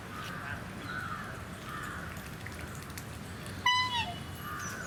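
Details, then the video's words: Black swans at Mysore Zoo: a single clear, bugling note, slightly falling and rich in overtones, rings out over a steady murmur of softer, hoarse swan calls and background noise. "Strange Sounds Of Swans | Call Of Swans"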